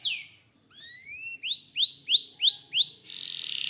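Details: Canary singing a lively bout: a falling whistle, then rising glides, then a run of loud upswept notes about every third of a second, ending in a fast buzzy trill.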